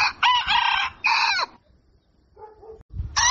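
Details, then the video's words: Rooster crowing at daybreak: loud broken crow in two bursts, a pause, soft low clucking notes, then another crow starting at the end. "Canto Do Galo | Galo Cantando Ao Amanhecer | Som Do Galo | Galo Cantando Para Acordar"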